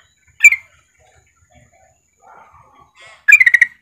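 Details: A female yellow-vented bulbul calls to a male with a single sharp note, a pause with soft warbles, then a rapid stuttering series of about six bright chattering notes.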